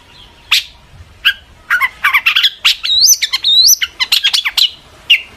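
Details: Long-tailed shrike in full, excited song meant to provoke other shrikes to reply: rapid varied chirps, about two per second, with sharp upswept whistles mixed in, and harsh squawky notes between them.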